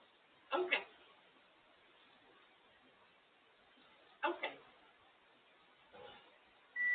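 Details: A female pet grey parrot sitting in her cage talks in short, two-syllable, speech-like bursts, three times over several seconds in a quiet room, ending with a steady electronic beep.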